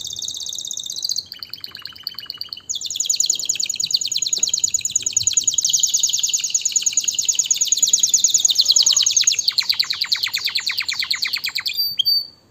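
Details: Canary song used for breeding stimulation and teaching fledglings: a short high trill and a softer lower phrase, then a long, loud, very fast rolling trill lasting about nine seconds that drops and slows slightly near the end.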